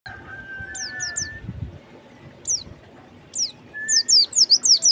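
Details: White-eye, known locally as pleci or kacamata bird: sharp, high, downslurred chirps come singly, then in a quickening burst near the end, over a steady lower whistle from another bird and a low background rumble.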